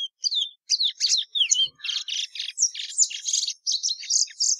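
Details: Plumbeous seedeater, known locally as patativa verdadeira, singing a fast varied run of high chirps, trills and short whistled notes, delivered in dense bursts with brief gaps, clean background.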